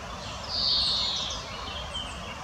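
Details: Female common chaffinch foraging in the Botanical Garden in Munich: a single clear, high whistled note, drawn out and slightly falling, over faint high chirps from other small birds and steady background hiss.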